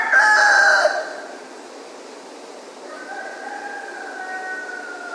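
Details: Roosters crowing at dawn in Ipanema: one gives a loud, harsh crow lasting about a second, then a second, more distant rooster answers with a long, drawn-out crow.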